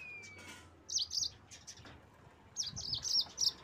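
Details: Yellow-fronted canary song used to stir rival birds: after a faint falling whistle and quiet gap, two short bursts of high, rapid chirping notes, the second longer and louder.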